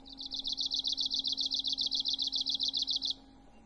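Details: Arctic warbler singing a fast, dry, buzzy trill of about twenty evenly spaced high notes lasting roughly three seconds, then stopping abruptly; a steady low hum runs underneath.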